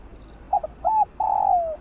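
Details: One complete spotted dove coo phrase, field-style voice used to stimulate lure birds: two quick soft hoots, an arched note, then a long steady coo gliding downward.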